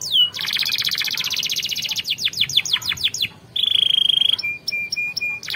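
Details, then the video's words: Canary song used for training other canaries to sing: rapid buzzy trills, a run of sweeping descending whistled notes, a sustained high steady note, then short repeated chips, loud and clear with no other sounds. "Canary 's most powerful song bird singing training"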